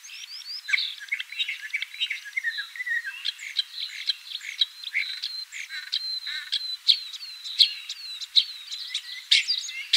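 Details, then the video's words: Common starling (Sturnus vulgaris) song: a dense, varied jumble of clicks, short sliding whistles, squeaky notes and brief rattles, delivered continuously over ten seconds with sharp accented clicks toward the end. "Обыкновенный скворец (Sturnus vulgaris) - голос"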